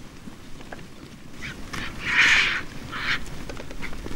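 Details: Vultures feeding on a culled elephant's leg at a vulture restaurant in South Africa, among marabou storks and jackals, give harsh, hoarse squawks and hisses in two short bursts about a second apart, over steady rustling.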